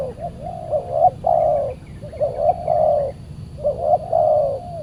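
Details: Spotted dove responding territorially to a decoy while being trapped, a very fierce bird; three phrases, each a short rising coo then a longer wavering coo, spaced about a second and a half apart.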